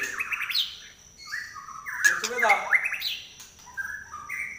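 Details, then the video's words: White-rumped shama singing trek style with a shrill voice, kept as a tutor bird: mellow whistled phrases, a loud harsh, scratchy middle section, then softer rising and falling whistles. "Trek Murai Pastol Suara Nyelit"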